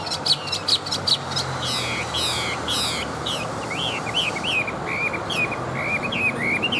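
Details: An old, large, wild-caught male-type fighting Chinese hwamei with a wild 'forest' voice sings loud, varied phrases: rapid repeated high notes, then rich slurred whistles rising and falling, two or three per second, over steady hiss.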